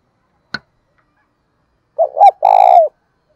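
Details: Spotted dove used as a decoy to lure others, singing in a 'thổ đồng' style voice; a sharp click, then a short two-part coo running into one long, drawn-out, slightly falling coo.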